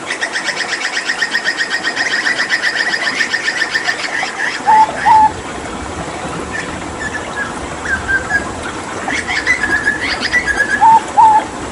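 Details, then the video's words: Hooded butcherbird, a Papuan endemic and skilled mimic, singing energetic 'tembakan' bursts during water therapy. A rapid pulsed chatter runs for four seconds, then clear, low fluted whistles come in pairs near five and eleven seconds, with scattered higher notes between. "Masteran Tembakan JAGAL PAPUA gacor"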